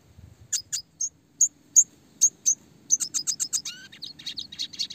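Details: Red siskin singing clearly in the classic roll tembak style for songbird training: spaced high sharp chirps speeding into a quick run of notes, then a descending whistle and twittering warbles on a quiet background.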